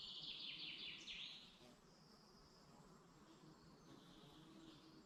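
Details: Morning birdsong in the Dublin mountains forest, Ireland: one loud, high, rapid trill falls in steps during the first two seconds, followed by thin, distant whistled notes over a soft background hum.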